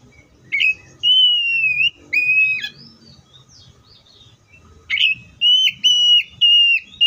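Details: Oriental magpie-robin song of flat, sustained whistles, several in a row with brief gaps, a quiet spell, then another run of steady whistled notes; faint low rumble behind.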